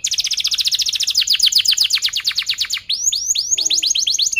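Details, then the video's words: Canary in long, lively song with tight rolls and cuit-cuit chirps, used to train young canaries to learn sounds: rapid high trill of down-slurred notes, then a slower series of bright rising-then-falling whistled notes. "KENARI GACOR PANJANG Rol Rapat EMOSI Cuit cuit Ngerol AMPUH utk Pancingan kenari paud belajar bunyi"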